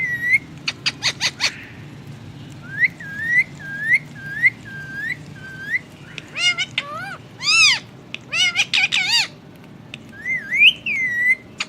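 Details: Ring-necked parakeet talking in Hindi: several short clicks, a string of brief upslurred whistles, then arched word-like phrases and a final wavering whistle.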